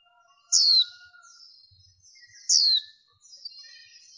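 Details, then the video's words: Female warbling white-eye, lure recording with background noise removed, aimed at stirring males: two loud, high, downward-sliding notes two seconds apart, with soft chattering notes and faint lower whistles around them. "Tiếng Khuyên Mái Mới Nhất Kích Trống"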